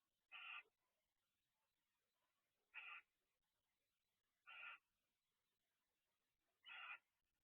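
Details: Barn owls at an owl box, two birds interacting at 12:29 am on 2 December 2023, give four short, rough hissing screeches separated by gaps of about two seconds against near silence.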